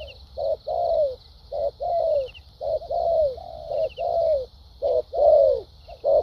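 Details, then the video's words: Spotted dove cooing in a contest with a wild-caught bird, in the thúc gù and lèo dặm styles: a mix of short punchy coos and longer sliding hoarse notes, repeated over a steady background hiss. "Đồng tốt tiếng bài bản.clip 870.nết chơi thúc gù,lèo dặm quá hay"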